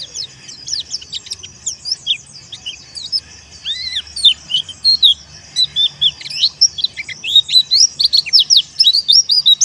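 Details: Teler song of a dakun wilis white-eye calling a rival. Busy high twittering with one lower arched note near the middle, building into a loud, fast run of sliding chirps in the second half.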